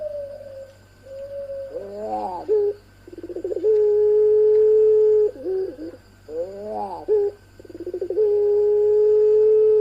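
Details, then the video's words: Pelung-style ringneck doves, one of them female, paraded together: stuttering rising and falling trilled notes lead into long flat sustained coos, the sequence repeated twice over a steady low hum. "Parade Suara Puter Pelung Paud"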